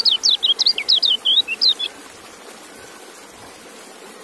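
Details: High, sweet twittering from a kecial white-eye: a quick two-second string of bright slurred notes dropping in pitch, then only soft background hiss.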